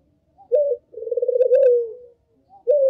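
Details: Lure call of a Barbary dove aimed at drawing other doves: a short note, then one long vibrating coo sliding lower, before the next phrase begins.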